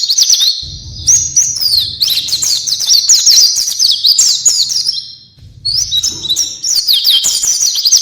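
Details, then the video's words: Oriental white-eye (pleci) singing an isian song, gacor and nearly nonstop: a long, fast, high twittering stream of downslurred whistles, broken by one short dip. A low rumbling noise runs beneath. "isian burung pleci gacor"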